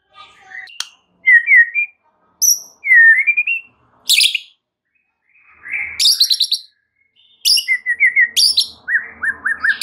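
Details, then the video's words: White-rumped shama song used as a lure to provoke other shamas into agitation: short slurred whistled phrases alternating with harsh, high buzzy bursts, separated by brief pauses, ending in a quick run of descending whistled notes. "SEKALI PANCINGAN Murai Batu anda langsung NAIK EMOSI mendengarnya"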